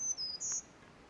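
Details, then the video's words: In a healthy eastern Canadian forest in May, a spring-migrant Black-throated Green Warbler sings from the canopy, a brief song fragment of thin, very high drawn-out notes, the last slightly higher and brighter. "In the canopy, a blackthroated green warbler sings its high-pitched song."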